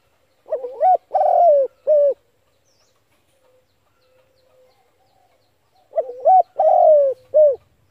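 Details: Spotted dove calling to stimulate a trapping decoy: two full phrases about five seconds apart, each a rising stuttered start, a long drawn-out coo and a clipped final note, soft and hollow, otherwise quiet.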